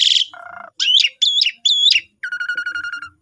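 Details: Asian pied starling song for mastering new birds: a short sequence of a high buzzy note, a low nasal rattle, three rising-falling whistled slurs and a steady pulsed rattling tone.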